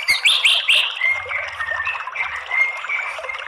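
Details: Short white-rumped shama lure phrase aimed at stirring males into fighting song: three quick upward-sweeping notes, then softer level whistles repeated several times.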